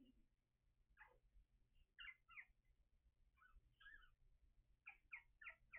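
Young common ravens give squeaky, rising and falling calls in short clustered bursts, ending with a quick run of four squeals, over a low background hum.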